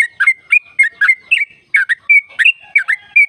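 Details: Lively sooty-headed bulbul trill song meant to lure caged birds into singing: rapid, rolling, bubbly notes about three per second, bright and whistled, continuous to the end.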